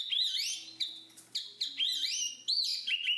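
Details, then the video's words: Black-capped babbler, known locally as jongkangan, giving loud whistled phrases that sweep up and down, separate notes starting roughly every half second with sharp onsets, clean and free of other sounds. "BURUNG JONGKANGAN/Black-capped Babble"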